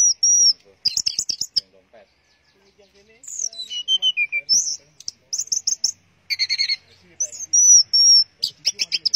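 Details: Orange-headed thrush in teler style, singing bursts of high sharp trills and chips. There is a short quiet pause, then descending whistles and buzzy phrases that repeat unevenly.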